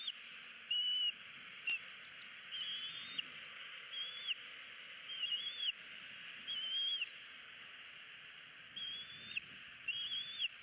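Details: Wild bald eagle chick at a Southwest Florida nest, February 2016, pleading for food while its parents ignore it. Short high whistled notes, some rising, repeat roughly every one to two seconds over a steady hiss.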